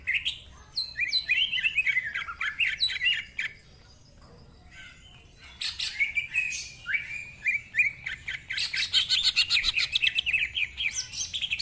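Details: Long greater green leafbird song in ngentrok style rich with mimicked fill-ins: cascades of slurred whistles, a brief silence, then dense fast chattering and buzzy trills building to the end.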